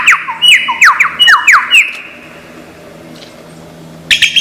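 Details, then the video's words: Lyrebird, known for copying many sounds in Australian forests, giving a fast run of falling whistled notes for two seconds, then quiet, ending in a harsh burst. "Lyre Bird Burung 1001 Suara"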